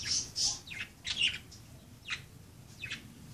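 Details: Budgerigars at play: a run of bright chirps and twittering notes, several falling downward sweeps spaced irregularly, loudest in the first second.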